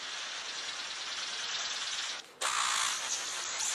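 A King of Saxony bird-of-paradise gives a harsh, static-like hiss, broken by a brief pause before resuming with faint thin whistles over the rasp.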